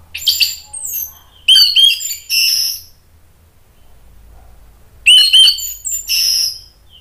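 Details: A captive orange-headed thrush, described as agitated and excited, gives two loud bursts of rich, varied whistled and chattering phrases, mostly high-pitched, separated by about two seconds of quiet.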